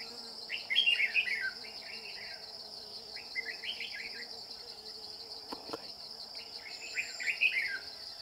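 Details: During trapping with a decoy, a red-whiskered bulbul delivers three separate bubbly, warbled phrases, each under a second and spaced a few seconds apart, against a constant shrill cricket-like hum and one sharp click.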